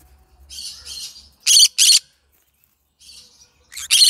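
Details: Yellow-sided green-cheeked conure singing: soft scratchy chatter leading into two loud harsh squawks, a pause, quieter rasping, then another loud grating screech at the end.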